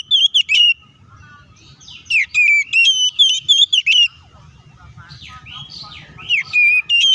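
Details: Aggressive fighting song of an Oriental magpie-robin, used to provoke rivals. Dense sharp whistles and quivering slurs, then a run of harsher, buzzy falling notes before the bright whistles return, over soft low hum.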